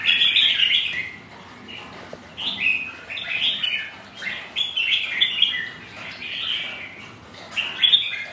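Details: Red-whiskered bulbuls, rival birds sparring on a rainy day, trading bright chirpy phrases in bursts every second or two, with quieter gaps and steady background hiss between.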